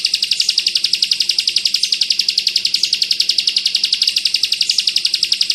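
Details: Rapid-fire bren rapat ak 47 song of a ciblek kristal, the Bar-winged prinia, offered as a model for oriental white-eyes: high, scratchy chips repeated at a fast, even pace with no gaps.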